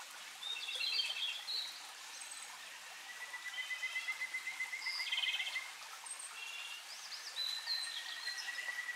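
A Japanese robin sings a long, even, rattling trill at a steady middle pitch, with several other birds' chirps and high whistles overlapping around it.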